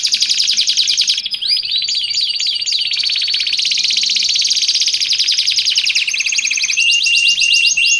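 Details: Nonstop canary singing, meant for tutoring caged canaries and attracting wild ones: dense fast trills, a burst of swooping whistled notes, then long rattling rolls shifting pitch, bright and high throughout.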